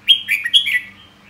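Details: A short, clear phrase from a red-whiskered bulbul: three or four quick whistled notes that slide up and down, trailing off into a faint quieter note, over a low background hum.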